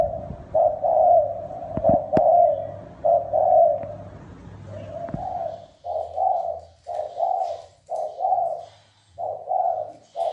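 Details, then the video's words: Red collared dove's 'thúc bổi' and 'gáy gù' cooing: a string of low coos, first long and joined over a low hum, then shorter separate coos repeated about once a second. Faint clicks are heard in the background. "Tiếng chim cu gáy đồng thúc bổi gáy gù mới hay 2020"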